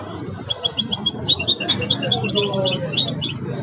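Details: Goldfinch hybrid in full song, a mix of the Belghith, Jnan al-Hasira and Si al-Fahm styles: opens with quick rattled notes, then bubbling, tinkling high phrases pouring out continuously, with low hum behind.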